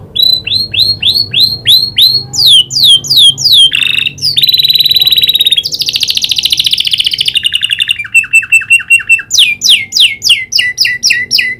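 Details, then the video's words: Caged canary, trained to imitate a prinia's clicking call, singing vigorously: runs of rapid, sweeping high chirps, a dense buzzy trill, rattling series and bright whistled notes, changing phrase every second or two. "Burung kenari gacor isian prenjak klik"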